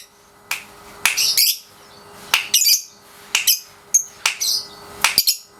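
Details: Caged Pasjo lovebird, 3.5 months old, practising ngekek in daily training; high harsh chirps and short scratchy phrases in bursts, separated by quiet gaps of about a second.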